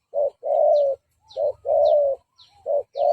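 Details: Decoy spotted dove giving provoking coos to attract rival males: short clipped notes alternate with long, level, throaty coos. Thin high chirps from another bird and a low rumble sit behind them.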